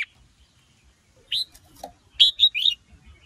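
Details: Red-whiskered bulbul, female stimulating a male's excited song: a rising whistled note, a soft low chirp, then a fast jumbled run of bright warbling notes.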